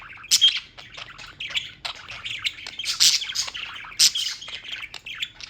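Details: In New York, pet birds chirp on and on: scratchy squawks and quick tweets, punctuated by a few sharp, piercing notes standing above the chatter.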